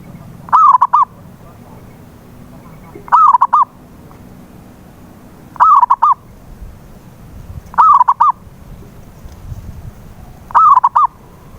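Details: Zebra dove (perkutut lokal) lure call for coaxing a silent bird to sing; five evenly paced low coo phrases, each a long bending note then clipped notes, repeating roughly every 2.5 seconds against a quiet background.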